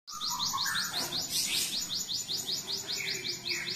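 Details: Cinereous tit singing actively, its song trained with canary phrases: a fast run of rapid high descending chirps repeated many times in a row, with lower whistled notes and a brief louder burst in the middle.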